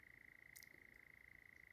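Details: Two European nightjars churring on a very warm, sultry 9 July evening in dark, tinder-dry Sherwood Forest, one to the right and one ahead: a steady, dry, mechanical trill held at one pitch without a break, with faint ticks and rustles.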